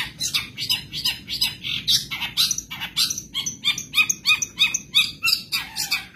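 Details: Long-tailed shrike from Madura giving a mimicry-rich training song: a dense, rapid chatter of buzzy, scratchy notes, roughly three per second, rising and falling in pitch with little pause, over a low steady background hum.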